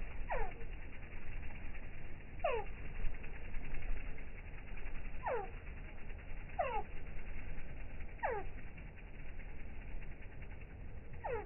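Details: Hummingbird sounds slowed down from slow-motion footage: six falling, whistle-like chirps with overtones, repeating roughly every one to two seconds over a steady low droning background.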